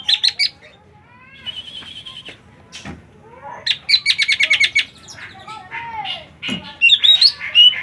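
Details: Busy twittering song with stuttered high notes, a thin buzzy trill and a rapid series of sharp repeated chirps, ending with bright upward whistles.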